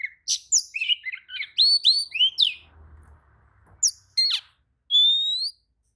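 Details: Answering another magpie-robin's song, an agitated Oriental magpie-robin pours out rapid whistled and chattering notes, pauses over a faint low rumble, then ends with a long, pure, rising whistle.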